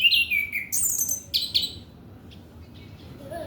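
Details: Song of an orange-headed thrush, used to draw out young males still in training: a bright falling whistle opens, followed by sharp high clicks and harsh bursts, then near-silence with faint notes.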